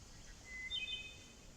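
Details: A Wood Thrush sings in spring woodland during morel season: a brief, faint phrase, a clear rising note, then a quick cluster of higher, ringing, flute-like tones, over a soft outdoor hiss.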